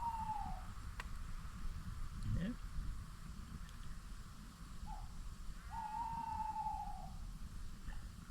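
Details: A distant Tawny Owl, identified by the recordist's son, hooting at dusk in summer while camping on the North York Moors near a small lane: hollow, slightly wavering hoots, one drawn out about a second, with low wind rumble and a brief human voice.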